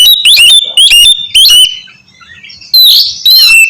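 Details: Oriental magpie-robin (kacer) song used as stimulation for a bird that rarely sings; three loud whistled phrases of falling and rising notes, a brief pause, then two more rich whistles.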